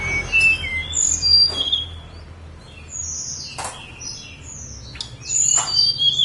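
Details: On Mount Songgo Langit, a snowy-browed flycatcher gives scattered, very high, thin whistles and short sliding notes. Several soft knocking sounds break in between phrases.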